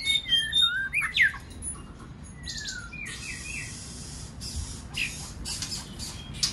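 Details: White-rumped shama song for coaxing other shamas to sing: a burst of lively whistles and swoops at the start, followed by a few soft, descending whistles and quiet hissing noise.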